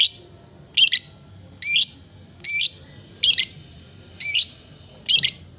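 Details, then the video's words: Seven grating, doubled chatter notes from a long-tailed shrike (cendet), evenly repeated about every 0.8 seconds, high and buzzy, with faint low hum underneath. "the melodious sound of the cendet bird"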